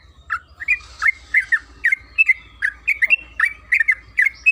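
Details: Yellow-vented bulbul (trucukan kebo), played to make the bird sing, delivering rapid chattering phrases of bright slurred notes in close succession over a low background rumble.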